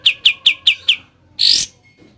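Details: Ngebren-style song of a sooty-headed bulbul: five quick, high, down-slurred chirps in a steady row, a short pause, then a rasping noisy burst.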